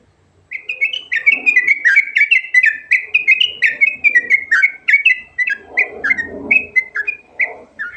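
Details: Garuda-type trucukan, or sooty-headed bulbul, in ngerol rolling song with rich fill: loud continuous run of quick, bright whistled notes, each dipping downward, repeated roughly three times a second, with muffled low rustling behind.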